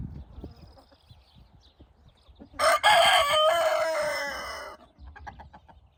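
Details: Rooster at evening in golden light, guarding hens while the flock scratches about; one loud, harsh, ringing crow of about two seconds ends in a drawn-out falling tail, with soft clucks and scratching before and after.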